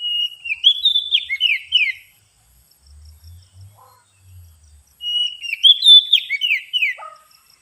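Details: Oriental magpie-robin lure song for bird trapping: two bursts of loud whistled, warbling phrases with rapid slurred and descending notes, separated by about three seconds of near silence with faint low rumbling.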